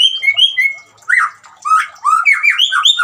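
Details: White-rumped shama song meant to prompt a silent caged shama to sing: clear whistled notes, some sliding and slurred, in short varied phrases broken by brief pauses. Running water is meant to accompany the song but is not clearly heard.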